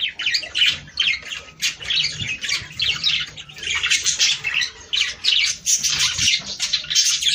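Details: Budgies' breeding-stimulation song, with nonstop raspy chattering and high squeaks in pulsing bursts from several birds, with occasional soft low thumps.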